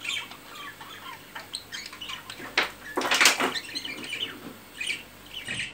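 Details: Budgerigar courtship following mating: steady, busy chatter of squeaky chirps with loud, broad rustling or flapping bursts near the middle.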